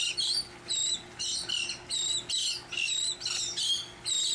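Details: Elegant terns at a large nesting colony on barges in Long Beach Harbor, August 2021, during a rescue and monitoring operation; many birds give harsh, buzzy, grating calls, overlapping and repeated every half second or so.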